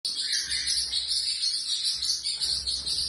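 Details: Pet female Pacific parrotlet kept at home, giving a steady stream of very high, thin, rapid chirping chatter with no pauses throughout.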